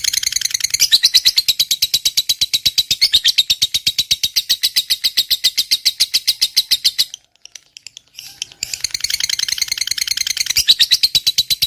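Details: A lovebird fighter chatters in the long ngekek panjang style, used as a lure for lovebirds that have stopped singing. Dense, rapid, shrill notes run for seven seconds, break off briefly, then resume just as fast.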